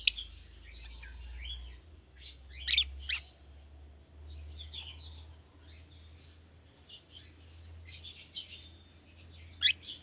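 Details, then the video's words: Young lovebird pair, euwing green opaline and red-eyed albino, together in a cage; sparse sharp chirps and soft twitters over a steady low hum. "Lovebird Chirping Sounds"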